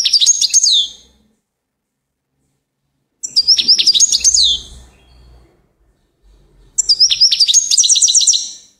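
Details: Goldfinch song in three bursts of bright, rapid twittering, each about a second long, mixing high chirps and quick downslurred notes, separated by pauses of a few seconds, with faint low rumbling in the background.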